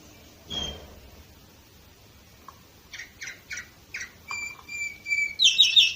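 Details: Canary recorded in Varna, Bulgaria, in 2018: after a quiet start, a run of short buzzy chirps builds into a sustained thin whistle and a loud, dense rattling trill at the end.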